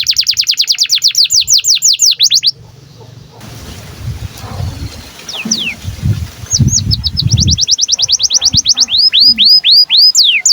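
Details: Breeding-condition canary song meant for training other canaries: a rapid high trill breaks off into a stretch of low rumbling noise with a few scattered sweeps, then fast chirped trills and upswept whistles resume.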